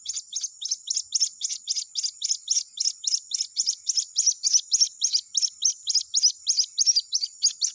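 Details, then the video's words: White-breasted waterhen chick calling its mother during the breeding season, used as a lure call. Thin, high, sharp peeps repeat rapidly and steadily, about three or four each second, over a faint steady high hiss. "SUARA ANAKAN RUAK RUAK MEMANGIL INDUK NYA"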